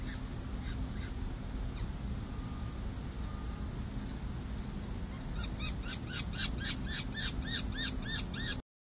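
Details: At a peregrine falcon nest on San Jose City Hall, May 7, 2024, four chicks aged six to seven days are fed. Scattered faint cheeps lead into a fast run of sharp chips, several per second, before the sound cuts off.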